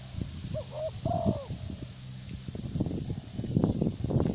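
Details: Caged decoy spotted dove, 'thổ bầu' voice type, Vietnam: a quick phrase of two short coos and a longer falling hoot, then rustling and handling noise.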